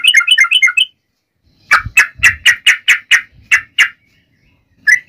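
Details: Yellow-vented bulbul in provocative fighting song, nggaruda ropel style. A quick bubbling trill opens, followed after a pause by a steady series of about nine loud, sharp chirps and one final note.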